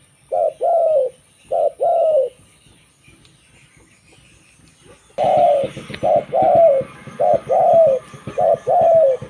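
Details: Zebra dove song used to decoy other local zebra doves: two soft coo pairs, then a pause, then four louder rolling coo phrases in quick sequence over a rougher, noisier background.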